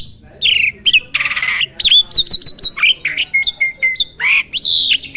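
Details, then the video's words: Caged starling in lively song rich in fill-ins: varied whistled slurs, a buzzy rasp, short repeated notes and bright downward sweeps tumbling one after another. "Burung jalak gacor full isian!"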